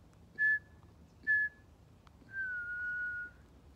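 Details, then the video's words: Pied butcherbird in a whistled exchange with a person at Griffith Pioneer Park Museum on World Listening Day 2023: two short ringing notes, then a sustained level whistle lasting about a second, with low hum beneath. "Conversation with a Pied Butcherbird"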